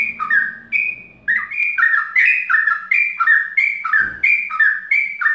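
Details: Plaintive cuckoo, known locally as trucukan mbandol ropel, used to lure birds of the same kind: clear whistled two-note phrases stepping down, repeated rapidly in a steady run, with a faint low hum beneath.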